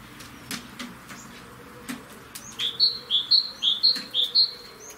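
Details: European greenfinch singing on a balcony: a series of eight bright, slightly rising whistled notes, each about half a second apart, following a few faint chirps, with some soft clicking in the background.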